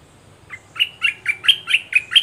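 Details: Red-whiskered bulbul decoy bird calling to a wild bird during a decoy trapping session on 21 January 2021; a steady run of seven sharp, clear chirps, evenly spaced about a quarter second apart, in quiet surroundings.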